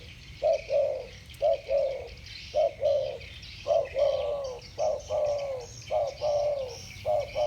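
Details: Two spotted doves, 'thổ bầu' voice style, trade coos: around seven hollow phrases of a quick note and a drawn-out, gently descending hoot, some longer than others, with faint high hiss behind.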